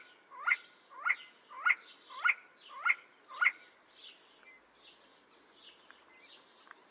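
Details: See-see partridge (Ammoperdix griseogularis) calling: six short, sharp whistled notes given about every half second at an even pace, followed by a quieter stretch with faint high background tones and a steady hiss of ambient noise.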